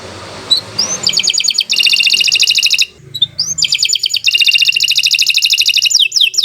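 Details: Canary singing to encourage other canaries to sing: after a few faint whistles over a low hum, dense high rapid trills and rolling buzzy phrases run almost continuously, broken by one short gap, ending in quick swept notes.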